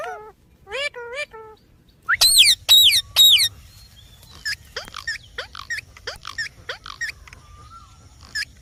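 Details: Talking parrot with a few bending harmonic calls, then loud harsh bursts, followed by a long stretch of softer, scattered clicks and short chirps.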